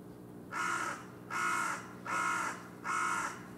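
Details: Two wild carrion crows, described as new rival birds, calling from a utility pole in front of a factory on a February evening; four harsh, buzzy caws, each about half a second long, spaced roughly every 0.8 seconds, over a faint steady hum.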